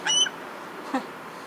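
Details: At a Fairbanks, Alaska waterfowl refuge, a hand-raised imprinted female gyrfalcon, fussy from low weight, gives a single thin, high, harmonic whine lasting about a quarter second, followed by a soft faint sound a moment later.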